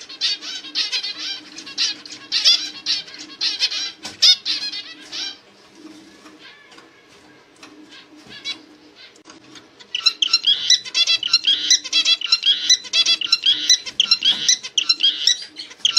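Zebra finches chatter in quick, high, nasal chirps, busy at first, quieter, then busy again.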